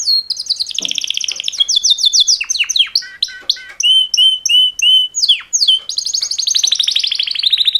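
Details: Pair of male canaries giving mating-call song: a quick trill, then a run of repeated clear whistled notes and downward slurs, closing with a fast high rolling trill.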